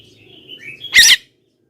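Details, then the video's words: Javan myna call used to lure wild mynas and draw replies from other mynas: faint rising whistled notes, then one loud, harsh, screechy burst lasting about a quarter second, with low background hum. "suara BURUNG JALAK KEBO,gacor menggelegar,semua jalak kebo auto nyahut"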